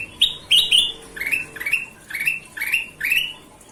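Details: Golden-vented bulbul in full song, opening with three bright high notes, then steady rising whistles spaced about half a second apart.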